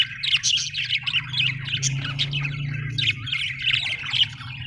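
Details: Happy budgie chirping from Australian birds: quick scratchy chirps and short squawks in a continuous chattering string, over a steady low hum.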